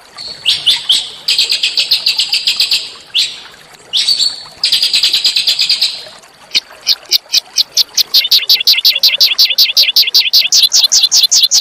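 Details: Small songbirds' harsh training song for white-rumped shama: chattering buzzy high bursts, followed by a long run of sharp, evenly spaced chip notes that quicken and drop slightly in pitch.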